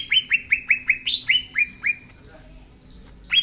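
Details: Vigorous natural song of a green leafbird (cucak ijo), played as a lure for young birds: about nine quick, clipped, falling chirps in steady succession, then a quiet gap before one last chirp.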